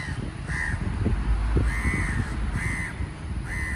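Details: Indian house crows, several birds calling noisily from the top of MRT viaduct noise barriers; harsh nasal caws repeat about every second, four in a row, over a heavy low rumble of traffic.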